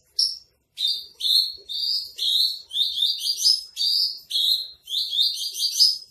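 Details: Javan bush lark giving trotol-style tutor song: buzzy chirps, some slurring upward, in tight clusters of two or three with brief gaps, forming a lively, uneven stream.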